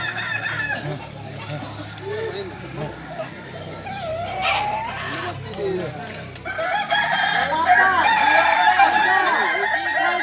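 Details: Kukuak Balenggek chickens, a singing breed native to Solok, during crowing performance training. Murmuring and clucking in the first half, then long, rising-and-falling crows with stepped syllables from about six seconds on.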